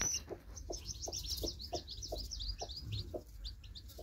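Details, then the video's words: Newly hatched chicks with a broody hen: a dense stream of high, thin, rapid peeps overlapping throughout, under low, short clucks from the hen repeated about every third of a second. "Broody Hen With New Hatched Cute Baby Chicks Baby Chicks Sounds"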